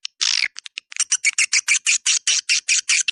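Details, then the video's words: Swiftlet lure call of the style known as "Dua Bidadari", used in a central swiftlet area to attract swiftlets: harsh, buzzy chirps in a quick, fairly even series, a few shorter ticks at first, then about six broad rasping notes a second. "SUARA PANGGIL WALET DUA BIDADARI"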